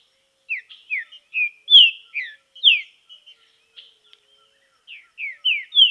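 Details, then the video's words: Green-winged saltator in song training in nature, delivering a run of loud whistled notes, mostly downslurred, with brief softer twitters between and a pause mid-phrase before more emphatic whistles. "TRINCA FERRO TREINAMENTO NA NATUREZA"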